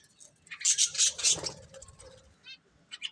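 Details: Budgerigar breeding pair giving a short burst of three loud, sharp chirps, then softer scratchy chatter and a few brief squeaks, over faint low rustling.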